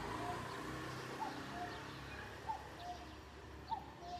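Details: Cuckoo calling at a distance: soft two-note 'cuck-oo' phrases, higher note then lower, repeated about every 1.2 seconds, behind steady background noise and rumble.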